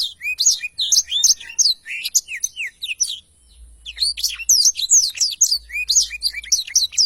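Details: Black-throated canary pouring out its long rolling 'ngerol' song in a clear recording for training songbirds: a nearly continuous, fast stream of high chirps and slurred whistles, around two notes per second, with one brief dip.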